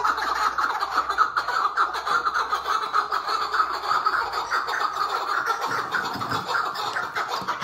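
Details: A captive, tethered chukar partridge gives its soft, dense, throaty chattering murmur, pulsing unevenly about every half second over a rough, scratchy background.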